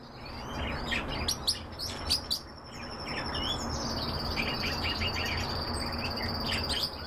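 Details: Several European bee-eaters give bursts of short trilled chirps, then quieter scattered calls beneath a thin, steady, high insect drone.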